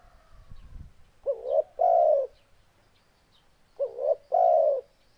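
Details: Spotted dove giving two coo phrases about two and a half seconds apart, each two hooked notes then a long falling coo, after a brief low rumble.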